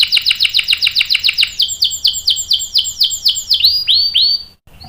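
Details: Female canary in breeding condition calling a male, singing a rapid series of repeated downward-swept notes that slow into longer arching whistles before ending abruptly.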